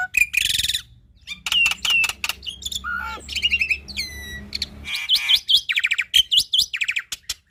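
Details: Energetic black-winged starling song recorded as training material for young birds: a loud scratchy burst, then fast repeated clicking notes, a descending whistle, and a chain of buzzy rising phrases, over a faint low hum.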